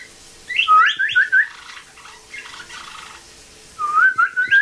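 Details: Cardinal-like song from a blue jay in rehab that learned it from a cardinal: clear rising whistles, a softer jumbled stretch in the middle, then another series of upslurred whistled notes.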